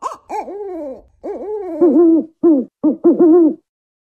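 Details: African wood owl giving a series of hoarse, wavering hoots: a few longer dipping-and-rising notes, then shorter, quicker hoots, about ten notes in under four seconds, against a quiet background.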